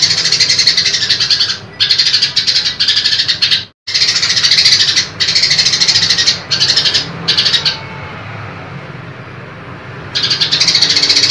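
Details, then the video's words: Female grey-cheeked bulbul calling to the male with a long, harsh 'tembakan' burst: fast grating pulses in several runs separated by short gaps, then a silent spell of about two seconds before the chatter restarts. "Tembakan Cungkok Betina Keras Kasar Panjang"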